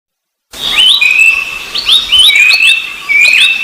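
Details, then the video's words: Rufous-browed babbler calling after a moment of silence: bright whistled notes, each a quick upward slur into a flat high tone, repeated in close overlapping series with echo-like layering. "Suara Burung Berisik || Pelanduk Semak & Pelanduk Topi Hitam"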